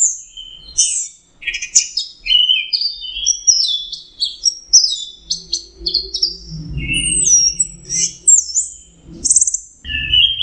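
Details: Orange-headed thrush singing continuous high, melodious phrases: sharp upslurred whistles, rapid twitters and drawn-out sliding notes, with some low murmuring noise in the background.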